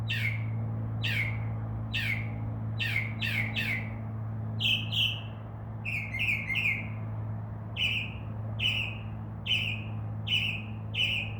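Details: A male Northern mockingbird singing at night from a tree outside a window imitates crow caws: harsh caws, about twenty notes in singles, pairs and triplets, each dropping in pitch, over a steady low hum.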